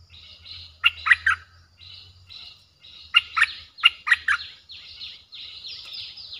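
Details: Streak-eared bulbul song with a fierce character, played to attract wild birds: sharp, warbling three-note phrases repeated in two groups over a steady background hiss and low rumble.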